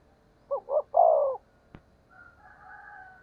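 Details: Spotted dove decoy coo, 'thổ' voice: one phrase of two short low notes and a drawn-out falling note, then a sharp click and a faint distant higher drawn-out call from another bird.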